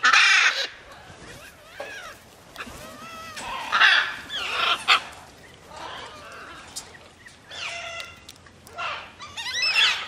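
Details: Free-flight macaws produce a busy run of rasping screeches and brief twisting, nasal notes, loud bursts alternating with quieter chatter.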